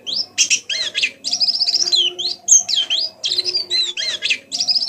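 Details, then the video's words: Young white-eye practising its song, meant to coax other white-eyes into singing: dense, varied high twittering with buzzy trills, sweeping whistles and rapid chirps in near-continuous bursts over a faint low hum. "pleci belajar bunyi || banyak materi isian masteran pleci"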